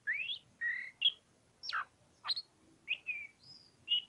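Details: Oriental magpie-robin giving ngobra-style song with spaced, loud whistles: upslurred and downslurred sweeps, a steep falling note and short flat whistles, each phrase separated by clear pauses.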